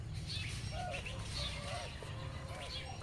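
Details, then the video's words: A quail hen grazing in the sun with her twelve newly released chicks gives soft, low arched calls about once a second, calling them to follow her, with thin high chick peeps above and a steady low rumble beneath. "Mother quail calling to her cute baby chicks"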